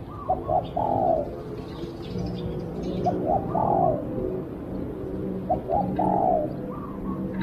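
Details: Decoy spotted dove used to attract wild doves repeats its call three times: quick short notes rising into a drawn-out, slightly descending coo, over low steady background hum.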